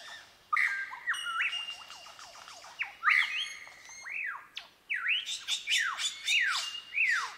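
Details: Mimicking superb lyrebird gives a string of strong whistled sweeps, many rising then falling like cracking whips, mixed with steady whistles and brief high squeaks, delivered almost without pause.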